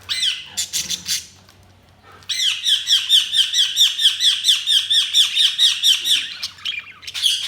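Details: Budgies chirping: a harsh opening burst, a pause, then a fast run of scratchy, downward-sweeping chirps at about two per second that stops abruptly, with a last harsh note at the end.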